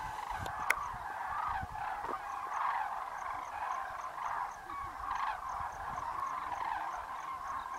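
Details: Huge flocks of common cranes, estimated at over 40,000, lifting off in the evening toward roosts after feeding in the Great Rann of Kutch grassland in January 2013: a loud, throbbing wall of overlapping rolling trumpeting calls.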